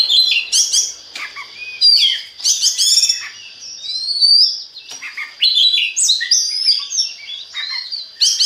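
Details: Oriental magpie-robin song played to stimulate other magpie-robins to sing; a rich, fast, varied stream of high whistles, sweeps and chattering trills with almost no pauses.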